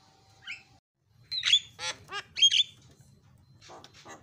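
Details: Starling used to goad other birds into calling gives a loud, harsh squawk, then a few nasal, buzzy notes and a faint scratchy chatter.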